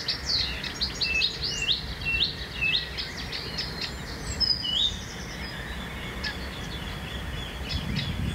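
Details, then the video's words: Blyth's reed warbler singing in a home town: quick series of high whistled and chirping notes with short slurred phrases, fading after five seconds into steady low noise near a busy railway. "Blyth's Reed Warbler"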